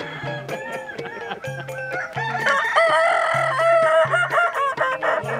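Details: Crowing contest rooster of the Kokok Balenggek breed, Solok regency, West Sumatra, Indonesia, known for a melodious crow in tiers. Its drawn-out crow steps between pitch levels in the middle of the clip, set against a repeated background of percussion music.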